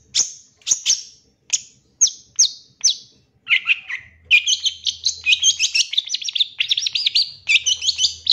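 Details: Champion long-tailed shrike of 2023 singing a lure song to provoke other shrikes; begins with sharp, high descending ticks, then breaks into a fast, shrill, varied warble.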